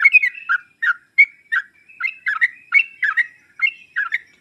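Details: Sooty-headed bulbul song meant to make a reluctant bird reply: emphatic burry chirps and short warbles repeated in quick, somewhat uneven succession.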